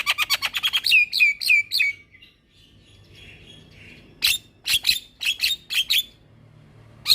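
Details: Long rolling gacor song of a Javan myna, used as master training material for all kinds of mynas: a rapid chattering run of clicks and whistles, then sweeping whistled slurs, a pause, and more fast staccato chirps.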